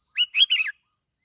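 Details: Sooty-headed bulbul lure song in the Bình Thuận kít bổi style: a single brief phrase of three quick, liquid, warbled notes sliding up and down, in otherwise clean silence.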